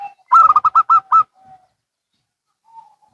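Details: Zebra doves, local and Bangkok types, answering each other: a quick series of six loud, even coo notes, then a faint soft coo trailing off in quiet surroundings.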